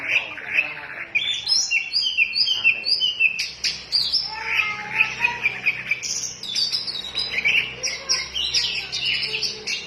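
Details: White-rumped shama singing energetically in fast bursts of sharp chirps and whistled phrases, dense and continuous, with strong high notes and short sweeping trills.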